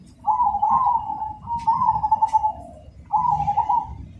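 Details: Cemani zebra dove sings three drawn-out, slightly trilled cooing phrases, each about a second long, steady in pitch with soft rolling texture, separated by short gaps against faint low background rumble.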